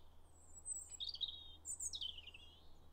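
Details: Robin singing to mark territory in winter, 9 January 2022, on wooded paths around a farm; high, thin warbled phrases sliding up and down, separated by short pauses, over a low steady background hum.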